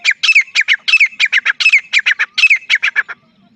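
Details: Rapid harsh chattering notes from a Dakhni teetar (partridge), about three per second with an irregular rhythm, each note hooked and falling. The series stops abruptly after about three seconds.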